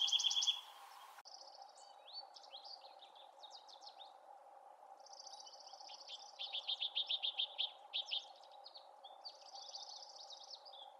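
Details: A Bewick's wren in the Pacific Northwest sings high, varied phrases of buzzes, sweet notes and quick trills, ending in a rapid run of repeated notes over a low steady hum.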